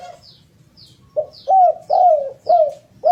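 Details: Spotted dove (derkuku) cooing, used as a lure to prompt other doves to sing: mellow rising-then-falling coos about twice a second, with faint regular high ticks in the background.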